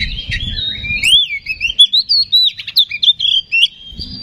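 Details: Oriental magpie-robin lure song meant to rouse another bird to sing: a rapid run of rising and falling whistled notes in quick bursts, sliding slurs near the start, low rumbling noise at the beginning and end.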